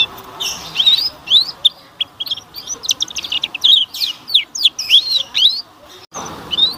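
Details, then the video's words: Canary song used as a lure to make young canaries start singing: rapid, high, twittering chirps and short slurred whistles, irregularly spaced, continuing steadily with a brief pause before resuming. "PANCINGAN KENARI PAUD AGAR BUNYI DAN CEPAT PECAH SUARA"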